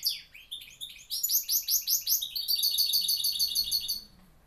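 A goldfinch hybrid sings a high, bright finch song: twittering notes, then a run of rising, swooping notes, ending in a fast, even trill. No other sounds.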